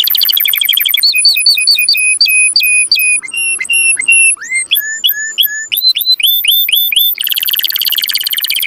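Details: Canary song aimed at encouraging mating: a fast trill, then flat whistled notes, stuttered double notes, quick rising slurs in series, closing with a dense buzzing roll.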